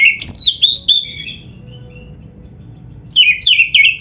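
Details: White-rumped shama in energetic 'gacor' song used as training master: high slurred whistles tumbling downward, a quiet pause, then a fresh run of bright descending whistled notes.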